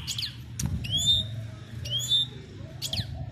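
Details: European goldfinch, a bird in training, calling to a female: two clear rising whistled notes about one second apart, with sharp buzzy chips before and after, over a low background hum.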